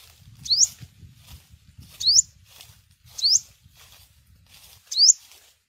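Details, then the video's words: Steady series of four thin upswept chips, each over a second apart, from a yellow-bellied sunbird used for luring in bird season, with low background rumble. "Tiếng chim hút mật 5 màu bụng vàng"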